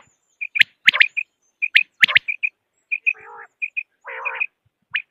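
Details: Quail voice for hunting in Pakistan: rapid clusters of sharp, ringing notes and high paired pips, broken twice by lower buzzy, grating phrases lasting about half a second, in a clean, quiet recording.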